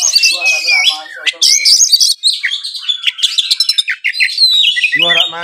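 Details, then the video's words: Oriental magpie-robin kept in a cage in Kudus, Indonesia, delivering a varied mimicry-filled song of shrill whistled notes, quick downslurs and stuttering trills, closing on a rasping harsh chatter. "KACER GACOR FULL NEMBAK ISIAN MEWAH"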